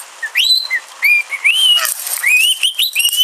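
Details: Talking pet rainbow lorikeet producing a string of clear, slurred whistles, mostly rising then holding level, about ten notes in three seconds with brief scratchy chatter between them.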